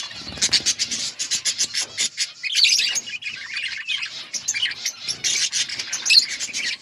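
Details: Budgerigars in an outdoor breeding colony chatter constantly, rapid clicking chirps and warbled high notes from many birds mixed with rustling.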